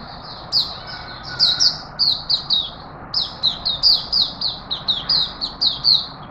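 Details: Straw-headed bulbul kept as a pet in Singapore, 11 September 2020, asserting its presence while relaxed: a rapid run of rich, gurgling whistled phrases, each note sliding downward, nearly continuous after a brief opening pause.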